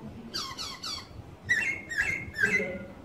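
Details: Laughingthrush song played to a primary school class during a lesson on birds: clear whistled notes in short rising and falling phrases, three squeaky bursts followed by three louder whistled phrases, with faint room noise.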